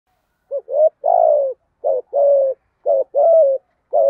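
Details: Spotted doves, male and female, kept for training, cooing in the 'giọng đồng' style to stimulate other doves to call. Short clipped notes lead into longer mellow hollow coos, in repeated phrases with quiet gaps.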